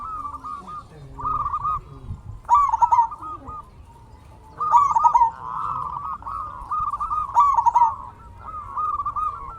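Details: Zebra dove of a local Indonesian strain, used as a lure to excite other doves: series of rippling, trilled coos in irregular bursts, with several overlapping phrases and a low background rumble.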